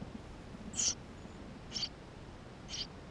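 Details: Tree sparrow chicks inside their nest, recorded 28 May 2016 on GoPro: three thin, high squeaks about a second apart, the first loudest and fullest, the rest fading.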